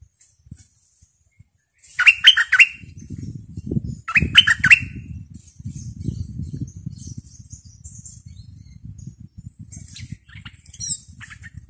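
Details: Fierce captive decoy bulbul, July 2021: two brief bursts of rapid chirping notes about two seconds apart. A steady low rumbling and crackling noise runs underneath, with faint high twitters later.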